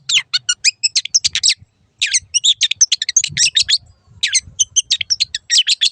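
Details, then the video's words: Long-tailed shrike in a master recording for caged birds: rapid, scratchy chattering in three long bursts separated by short gaps, sharp notes tumbling quickly. "MASTERAN BURUNG CENDET"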